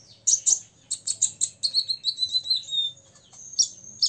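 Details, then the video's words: Song of an olive-backed sunbird, six years old, meant to provoke rivals: a run of evenly spaced sharp chirps followed by a thin, slightly descending trilled whistle and two final high notes. "KONIN DACOK UMUR 6 TAHUN " kolibri ninja ngobra 100% bikin lawan EMOSI ....!!!"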